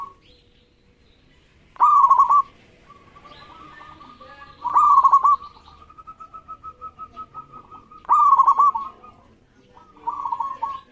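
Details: Local zebra dove singing to goad rival birds into song: loud stuttered cooing phrases about three seconds apart, with long, softer trains of rapid pulsed coos between them.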